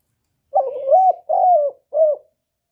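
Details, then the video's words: Male spotted dove calling to encourage a female to lay. One phrase of three low coos: a long wavering note, a steady falling note, and a short final coo, all soft and hollow, with no other sounds. "Tiếng chim cu trống kích mái mau đẻ"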